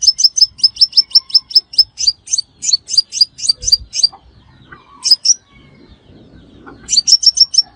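A Crimson Sunbird gives fast runs of thin, high, sharp chips, about five a second, then pauses before another burst. Faint soft rustling fills the gap.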